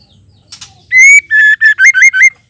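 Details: Female white-rumped shama calling to provoke male shamas into singing: a soft rasp, then one long clear whistle followed by five quick, slightly wavering whistled notes, loud and close.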